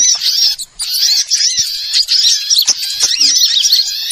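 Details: Small-bird lure sound used for trapping: a thick wall of high twittering and shrill whistled chirps from many birds, continuous and restless, with one short drop near the start.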